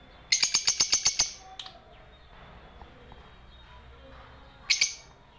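Lovebird giving a fast burst of about eight sharp, high chirps, then a short pause and a final pair of chirps.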